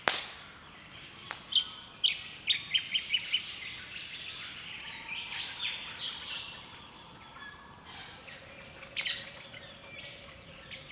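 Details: Early-morning birdsong on the east coast of Australia, captured with a camera: a few loud sharp chirps, then a quick series of bright descending notes, followed by softer mixed chattering and twittering from several birds.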